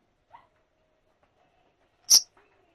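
Fischer's lovebird gives a single shrill, piercing shriek, very high and sharp, after a faint soft note; otherwise near silence.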